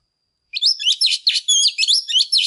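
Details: Oriental magpie-robin female singing to excite males, a rapid, dense run of varied warbled and whistled notes, high and bright, without pauses.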